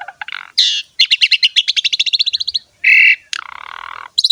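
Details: Richly embellished 'gacor' song of an Asian pied starling: scratchy bursts, then a fast rattling train of some twenty clicks, a loud harsh buzz, and a lower grating chatter before a final high squeak.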